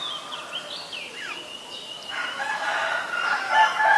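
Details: White-vented myna recorded in Ubon Ratchathani, Thailand, on 8 March 2022: a run of varied whistled and slurred notes, some sliding downward, then a denser, louder burst of harsh chattering toward the end.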